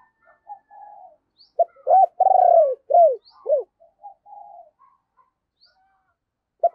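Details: Decoy spotted dove giving 'thúc' and cooing 'gáy' calls to lure wild doves: soft low hums, then a loud burst of three or four deep, hoarse, falling coos, then quieter murmuring notes, in silence.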